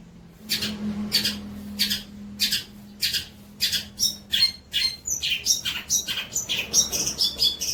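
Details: Long-tailed shrike tutor recording for juvenile birds: harsh rasping bursts repeated roughly every second and a half, turning into a quicker jumble of squeaky, whistled chatter, with a steady low drone behind.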